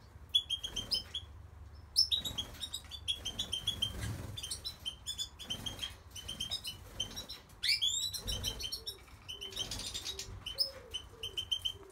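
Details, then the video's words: Goldfinch song in bursts of quick, liquid twitters and tinkling chirps, some buzzy trills and sharp rising notes, separated by brief gaps; low rumbling background noise and a few soft lower notes near the end. "Goldfinch singing"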